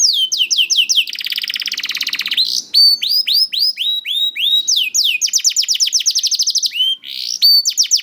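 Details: Young canary, used to prompt reluctant canaries to sing, in a rapid high song of repeated downslurred notes in fast trills, a buzzy rolling phrase, then more sweeping note series with short gaps.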